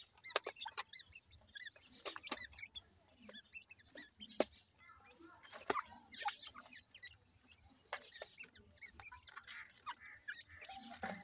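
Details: Several partridge chicks playing, giving many short, sharp twittering peeps that rise and fall, scattered densely throughout, mixed with frequent dry clicks and tapping sounds.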